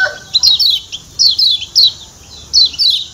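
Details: High falling chirps of a kecial kuning, the Lombok white-eye, in 'ciak ciak' style. They come in paired bursts with short gaps between, and a faint lower note is heard at the start.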